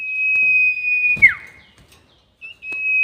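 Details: Drawn-out pure whistle of a sirtu bird, used as a trapping lure, held steady for over a second before a quick downward slur, then a short pause and another level whistle starting.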